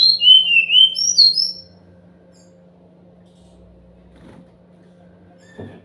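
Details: Sumatran laughingthrush song played to provoke silent birds into answering: a quick run of bright whistled, wavering notes in the first two seconds, then near silence with a steady low hum and a faint knock.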